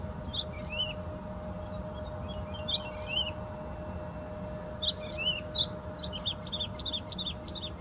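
Woodlark singing soft, liquid phrases of slurred, falling notes, ending in a fast run of repeated fluty notes, over a steady low hum and rumble.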